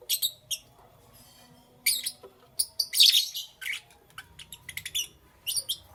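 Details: Lovebirds in the morning, with loud, piercing chirps in irregular bursts and a harsh, rapid squawky flurry near the middle, separated by short silences.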